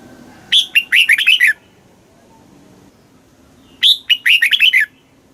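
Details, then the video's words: Caged red-whiskered bulbul song, southern Thai master style for stimulating birds: two loud rapid phrases of bright, slurred whistles, each lasting about a second, with a long quiet pause between. "เสียงนกกรงหัวจุก ร้อง ริก เปิดให้นกฟัง ยั่วให้นกคึกจัด"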